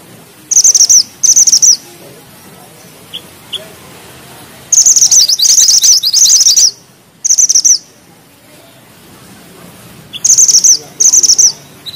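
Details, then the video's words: Mantenan gunung bushchat in lively rolling song: high, rapid, rattling trills in bursts, some long and jumbled, broken by gaps with a few isolated soft chips. "Mantenan gunung gacor ngeroll rapat,nembak tajam!!"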